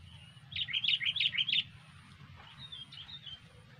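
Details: An aggressive female sooty-headed bulbul gives a quick run of bubbly, warbled notes lasting about a second, followed by fainter, softer notes, over a steady low hum.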